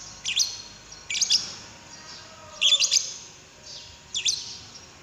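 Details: Shrill lovebird chatter used to coax another lovebird into song, in four short bursts of rapid high chirps roughly once a second, the third burst the loudest and busiest.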